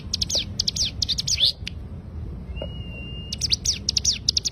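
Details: Cigun bird in 'ngebren' burst song: clusters of sharp, high descending chirps, a pause with one long level whistle, then the rapid chirping resumes; a tutor recording for training songbirds.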